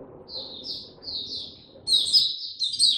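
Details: Mata puteh (Oriental white-eye) easing into song, 2 May 2022: two short, high, slurred whistles, then a louder, rich burst of rapid twittering, with low background rumble throughout.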